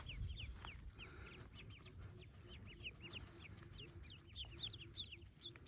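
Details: Newly hatched yellow ducklings in a cave nest; a chorus of short high falling peeps from several chicks, overlapping and irregular, with low rumble beneath.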